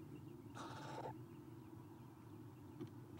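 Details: Eastern screech owl owlets, three, in a nest box on a nest cam, 30 April 2016 at 9:54 am, as one leaves the nest; one half-second raspy, hissing burst, then quiet nest-box hum with a faint short sound near the end.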